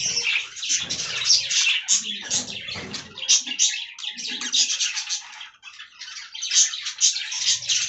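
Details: A group of aviary budgerigars feeding on fresh green leaves, giving a busy, overlapping warble of quick chirps and squeaky notes, briefly thinning near the middle, with faint low rustling underneath.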